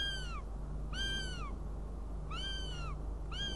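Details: Northern goshawk at a nest in Riga on 29 June 2016: drawn-out, downslurred whining calls repeated about every one and a half seconds, over a constant low electrical hum.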